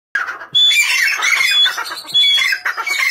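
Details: Grey francolin calling: loud, harsh, shrill notes with layered overtones run almost continuously after a short silent start. Brief high whistled tones cut through at intervals, and the calling dips once near the middle.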